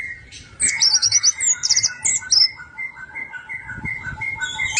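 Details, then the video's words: Song of an orange-headed thrush, used as a lure to make other birds sing: a burst of high rapid trills and sweeping whistles, over steady mid-pitched whistling notes from other birds in the background. "PANCINGAN ANIS MERAH MACET DALAM 3MENIT PASTI NREKTEK"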